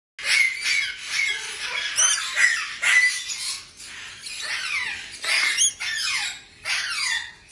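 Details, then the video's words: Black-capped lory, a newly arrived friendly free-flying bird, indoors: loud harsh screeching calls with sharp descending sweeps, repeated in bursts of under a second with short gaps, strongest notes high and piercing. "Just Arrived Black Cap Lory"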